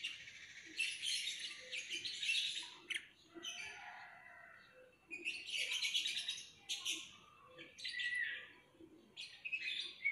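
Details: Lovebird singing long bursts of rapid, scratchy, high-pitched twittering, broken by brief pauses and a few sharp clicks.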